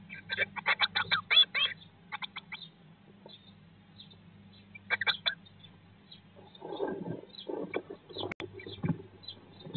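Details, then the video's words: Eurasian blue tit brood in a nest box, day 19 after hatching: a rapid run of high chirps, about four a second, then a pause, another short burst, and muffled rustling and shuffling inside the box. "Blåmeisen i fuglekassen - Dag 19/ Bluetit in the nest box - Day 19"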